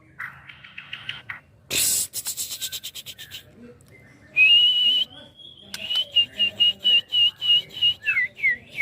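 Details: Young white-rumped shama, a caged bird being readied to liven up the iron contest pole. It gives loud varied whistles, a sharp broadband burst, then a run of repeated clear whistled notes with falling slurs near the end.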